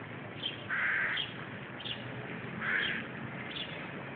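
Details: Hooded crow fledglings, very lively and active, give harsh, nasal caws: two drawn-out rasping calls about two seconds apart, with shorter higher notes between them, over steady background hiss.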